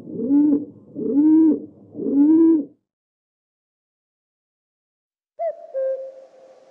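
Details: Pigeon cooing: three low, soft rising-and-falling coos about a second apart, then a pause and a shorter, slightly higher coo with a faint hum behind.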